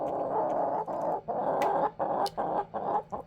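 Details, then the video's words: Pet backyard chickens sleeping over indoors in a dog crate, a little confused but not scared; low, throaty clucks and groaning murmurs come in short bursts, about two or three a second, with brief gaps between them. "Chickens Making Sounds in Their Dog Crate"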